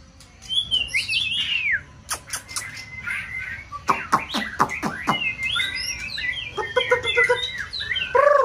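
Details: White-rumped shama singing in a multi-bird duel during peak season: varied whistled phrases sweeping down, sharp clicks and rapid chattering notes, then warbled twitters, over a constant low background hum.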